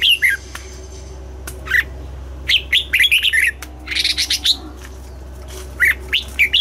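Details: Red-whiskered bulbul singing in the morning during song training, aiming for a double-note forest-style song; bright whistled phrases swooping between mid and high pitch in short bursts, with a steady low hum underneath.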